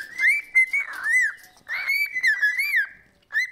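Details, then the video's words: Happy pet parrot gives wavering whistled phrases, bright tonal notes bending up and down in quick succession, two main runs followed by a short final whistle, inside a small room. "Happy Mood Whistling"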